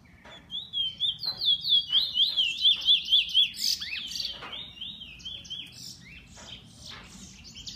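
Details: Bullfinch kept by an owner sings a loud run of evenly spaced swooping whistles, about two a second, then breaks into a jumbled, twittery phrase with sharp downward notes.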